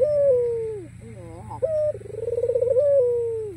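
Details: A white black-collared ringneck dove coos to invite an opponent to sing, giving a gliding descending coo, a rapid rising trill, then a lengthy vibrating coo that swells and fades.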